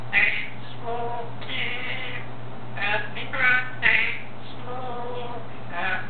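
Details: A male African grey parrot sings "Happy Birthday" to himself in a reedy, human-like voice, its phrases rising and falling in short bursts, over a steady low hum.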